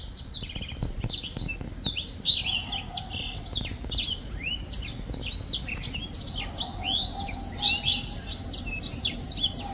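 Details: Black-throated finch song heard as a steady stream of thin, high, quick chirps and slurred twitters, overlapping almost without pause, over a low hum.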